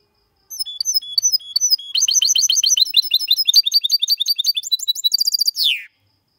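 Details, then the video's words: Mixto hybrid of goldfinch and canary with a clean 2022 song: spaced whistles, a long fast run of crisp high chirps, then a ringing trill ending in a falling note. "Mixto de Jilguero X canari canto Limpio"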